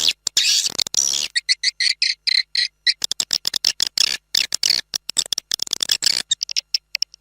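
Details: Swiftlet lure sound from Malaysia or Indonesia, used to attract a flock for swiftlet keepers. An opening burst of buzzy twittering is followed by rows of quick ticking chirps, then more rapid, irregular high chatter.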